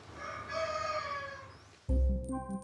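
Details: Rooster on the island of Oléron, France, recorded crowing by a bailiff as evidence in a daytime-noise complaint: a harmonic, drawn-out crow lasting nearly two seconds, cut off by a sudden loud burst of other sound.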